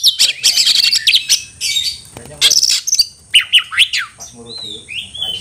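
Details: Agitated Oriental magpie-robin looking for a fight, singing a dense, scratchy jumble of rapid notes, then a few loud sliding whistles and sweet rising and falling whistled phrases.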